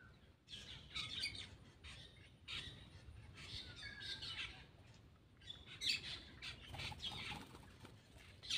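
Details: Black-winged myna at its food, producing long stretches of grating, buzzy chatter and squeaks, loudness rising and falling, with faint background noise.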